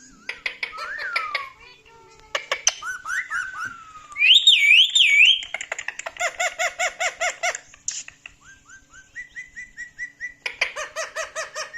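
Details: Talkative male pet parrot reacting to his own clips and laughing; mixed chatter of clipped harmonic syllables, a loud wavering whistle in the middle, then steady strings of rapid repeated voice-like notes.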